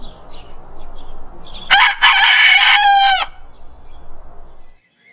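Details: Rooster crowing in the morning: a single loud, harmonic-rich crow of about 1.5 seconds with a stuttered start and a long held ending, over a quiet murmuring background.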